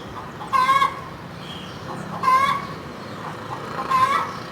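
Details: A hen cackling: three loud, buzzy squawks rising at the end, evenly spaced about every one and a half seconds, against quiet low background noise.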